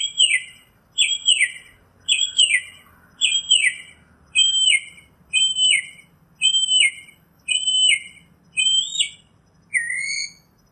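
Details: Outdoors, a northern mockingbird repeats a bright, downward-sliding whistled phrase about ten times at steady one-second intervals, then switches to a different falling whistle at the end.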